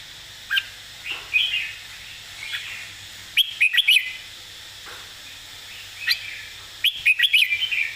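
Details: Red-whiskered bulbul in a clear, emphatic master song: scattered single whistles and short warbles, and two loud bursts of four to five quick, bouncy whistled notes about three and a half seconds apart.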